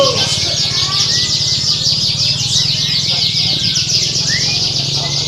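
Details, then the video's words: Many caged canaries at an Indonesian bird contest, recorded as a contest simulation to train champion birds: dense overlapping high buzzy trills and rapid repeated chips sung together, with a low steady hum underneath. "Simulasi Lomba Kenari | Suara Kenari Lomba | Melatih Mental Kenari Juara"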